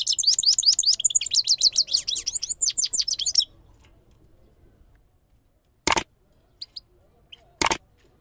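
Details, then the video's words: Goldfinch, known locally as Qanari, from Parachinar, delivering a fast, tinkling twitter of high, liquid chirps and trills for about three seconds, then silence broken by a few sharp clicks. "Sing Of Gold Finch Qanari Of Parachinar/ Saira Qanari So beautiful Sounds"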